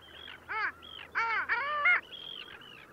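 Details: Long-tailed duck at Liepāja, Latvia, January 2024: a close, loud sequence of rich nasal honks with bending, yodel-like notes, interspersed with thinner higher whistled calls from other ducks.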